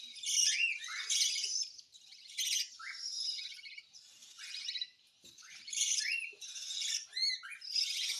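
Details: Hand-fed cockatiel begging during feeding: harsh, raspy hissing bursts, high and buzzy, repeated in uneven runs of about a second, with short rising squeaky notes between them.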